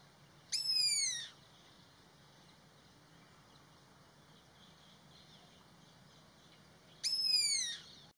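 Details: Alarm call of an Indian pitta: two harsh, buzzy, downward-sliding notes, each under a second long, spaced about six and a half seconds apart, over quiet low background hiss.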